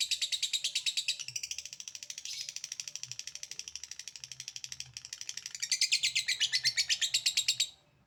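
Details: Long 'ngekek' chattering from a lovebird, quick repeated rasping notes that soften in the middle and swell louder again near the end before stopping.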